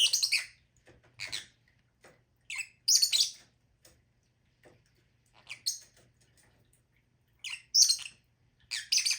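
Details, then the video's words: Lovebirds giving short, harsh, high-pitched squawks in scattered bursts, some doubled, separated by quiet gaps, with a faint low hum in the background. "Lovebirds sound"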